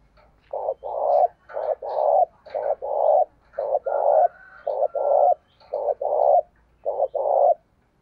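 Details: Spotted dove decoy bird calling to lure wild doves: deep, hoarse cooing phrases, two or three notes each, repeated steadily about once a second, with a faint whistled bird note in the background.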